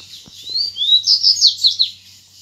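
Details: Double-collared seedeater singing in the wild against rivals. A brief high phrase opens with rising whistled slurs and turns into a quick string of clipped chirps. One soft click and a faint low hum are also heard.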